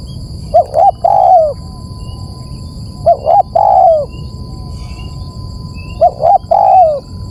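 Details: Spotted dove lure call: three low cooing phrases, each two short rising-falling notes then a longer drawn-out falling coo, repeated about every three seconds against a steady background hiss.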